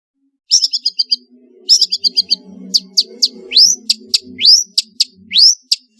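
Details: Long-tailed shrike in lively varied song used to stir quiet shrikes: quick trilled chattering bursts, then sharp rising whistled upslurs repeated about once a second, with a faint low hum behind.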